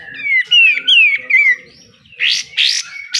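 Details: Pied triller besetan singing for training caged birds: a string of four clear whistles, each sliding downward, followed by three loud, rough, upward-sweeping rasps.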